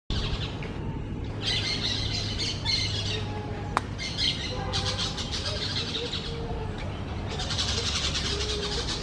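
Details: Parakeets calling in a forest, the birds described as the most songful of the woods: bursts of bright, dense chirping and chattering come in waves, pausing briefly between, over a steady low rumbling background hum.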